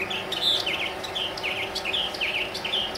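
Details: Northern mockingbird, a male perched high in a mesquite tree in central Arizona, delivering quick, bright chirps and paired downslurred notes in rapid succession over a low rumbling background.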